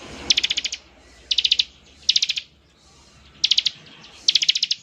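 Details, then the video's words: Bar-winged prinia in ngebren-style song, said to make other prinias join in: five bursts of six to eight rapid high staccato notes, with a brief quiet gap midway. "ciblek gacor, suara NGEBREN seperti ini paling ampuh bikin ciblek IKUT nyaut"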